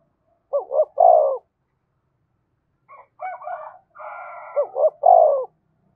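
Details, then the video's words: Spotted dove coo intended to trigger fighting: two phrases of quick double hoots and a drawn-out coo, separated by a raspier, higher, hissing sound from another source. "Tiếng chim cu gáy thúc đấu kích bổi hiệu quả giọng hợp bổi"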